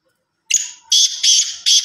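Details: Black francolin, from Sindh, giving a harsh, grating, high-pitched call of four rasping notes in quick succession, the later ones longer. No other sounds.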